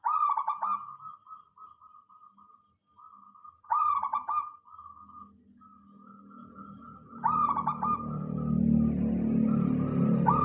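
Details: Zebra dove (local perkutut) singing as a lure to draw responses from other doves: three stuttering coo phrases about three and a half seconds apart, linked by softer held notes, with growing low rumbling noise later.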